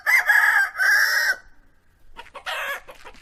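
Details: Domestic chicken on a farm crowing: two loud, harsh, buzzy bursts back to back, then a near-silent pause and a shorter raspy burst near the end.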